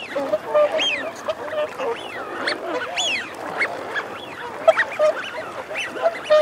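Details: Loud wigeon chorus with males giving repeated arched whistles, some overlapping, roughly every second, and females adding low growling notes, all over continuous flock chatter.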